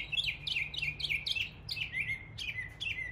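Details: Mockingbird mimicking local birds in East Tennessee gives a quick series of about eight bright, downward-slurred chirps, each falling sharply in pitch, delivered at an even pace over a low hum.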